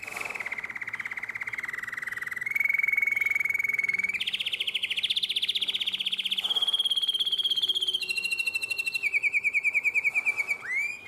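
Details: Canary in the nightingale-voiced song style, Drama, 2017: long rolling trills held on one pitch, stepping up and down between sections, closing with quick slurred notes and a rising whistle.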